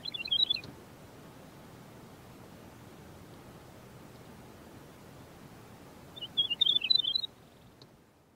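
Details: Large-billed Lark in the Karoo singing two short bursts of quick, high, warbled fluty notes separated by about five seconds of quiet background hiss.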